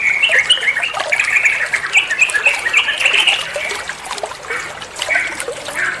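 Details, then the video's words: A trucuan bulbul sings for training other songbirds, with fast irregular chirping notes and squawky phrases that soften toward the end, set against gushing water. "Masteran trucuan muantaaap, (burung trucuan anda pasti nyaut)"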